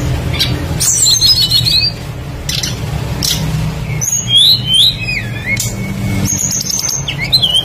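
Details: Tledekan songbird on a lure track for making other birds sing: scattered phrases of sharp high whistles and looping warbled notes, with pauses between them and a constant low background drone.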